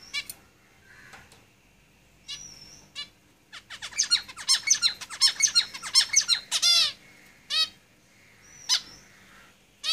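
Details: Zebra finches singing in a cage: a few scattered calls, then a dense three-second burst of rapid, buzzy, stacked syllables ending in a loud harsh note, followed by sparse calls and a thin whistle.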